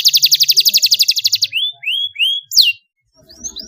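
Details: Young canary learning song from a model recording in the luxurious cengkok style, answering and rolling: a fast, even trill of about eighteen high buzzy notes, then three rising-falling whistled slurs and one steep falling whistle.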